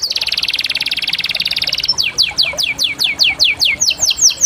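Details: Canary song, small birds: a fast buzzy trill of rapid notes near the top of the range, then a series of downward-sweeping whistled notes repeated several times a second.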